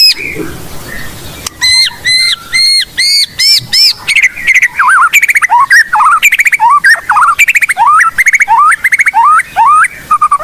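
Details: Energetic blorok white-rumped shama song, rich in copied phrases and used to train young birds: ringing stacked whistles, then a fast string of sharp chips and quick downward and upward slurred notes, about two to three a second.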